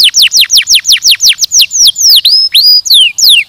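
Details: Canary song with a rapid run of bright, high, downward-sweeping whistles at about three per second, then slower, varied slurred notes and a sustained whistled tone.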